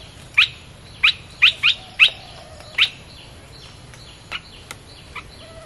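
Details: Red-whiskered bulbul played to lure wild birds: a series of six sharp, rising chip notes at irregular intervals, followed by fainter scattered chirps.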